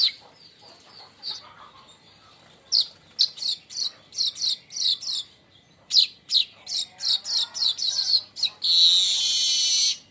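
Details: Baya weaver crecetan, a chattering call used to lure birds and train others: fast runs of sharp high chirps, about three per second, ending in a long hissing buzzy wheeze.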